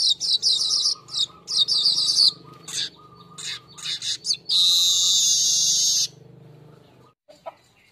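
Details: Golden-headed weaver lure song for training cage birds. Quick bursts of high, scratchy chatter are followed by a long, even, sizzling buzz lasting over a second, then a few stray notes.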